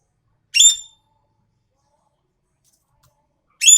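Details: Asian pied starling vocalizing actively: two short, bright, squeaky whistled notes with a harsh edge, about three seconds apart, separated by silence.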